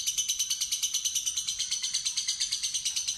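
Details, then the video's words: Rapid rattling ngekek chatter from a young fighter lovebird being lured into its long trill, made of steady, closely repeated high buzzy pulses throughout. "Lovebird Fighter Ngetik Ngekek Terpanjang"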